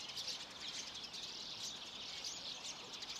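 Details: Dense high chattering from a flock of roughly a hundred common redpolls at a Swedish bird feeding station in March, calls piling over one another continuously with steady background hiss.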